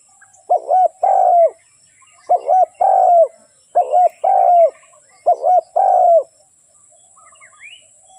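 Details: Spotted dove used as a trapping lure. Four cooing phrases in quick succession, each a wavering double note then a sustained coo, followed by quiet with faint higher chirps from another bird.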